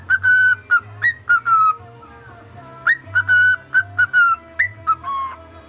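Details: Whistled attempt by a male cockatiel at the Mickey Mouse March: a run of evenly held clear notes and brief rising flicks, repeated in phrases about two seconds long, a faint low hum underneath.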